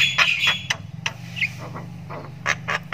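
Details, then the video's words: Young Javan myna (jalak kebo) chick chirping as it learns to call: a few short hoarse squawks spaced unevenly over a steady low hum. "ANAKAN JALAK KEBO SULTAN NGRIWIK PANJANG"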